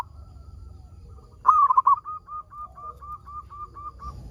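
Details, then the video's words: Lively local zebra dove singing to prompt other zebra doves: one loud, quavering, stuttered coo phrase, then about ten soft, evenly spaced short coo notes tapering away. "PERKUTUT LOKAL GACOR SUARA PALING AMPUH UNTUK PANCINGAN BURUNG PERKUTUT AGAR BUNYI"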